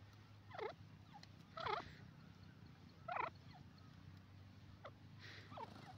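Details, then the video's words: Grey francolin uttering a series of sharp, ringing, pitch-swooping calls, spaced irregularly about once or twice a second, against a steady low background hum. "new pheasant ki awaz grey francolin bird sound"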